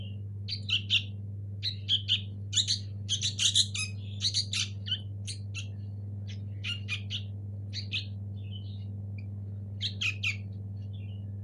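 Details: Sooty-headed bulbul nestlings, local birds, giving clustered bursts of rough, noisy chirps and squawks, busiest in the first five seconds, then sparser with short pauses before a final flurry; a constant low hum underneath.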